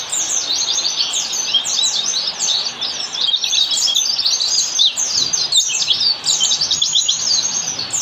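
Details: Oriental white-eye singing the standard 'ngalas' wild style, meant to train caged birds: an energetic, nonstop cascade of sharp high chirps and trills.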